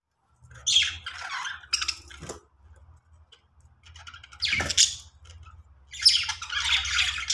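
Budgerigars give bursts of scratchy, high chirps and squawks with short pauses between.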